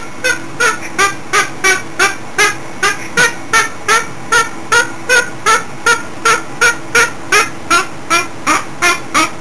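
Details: Pet cockatoo in full singing mode, giving a brisk, regular train of coarse honking squawks, roughly twenty-five in nine seconds, some slightly higher and shriller than others, with a soft steady hum underneath.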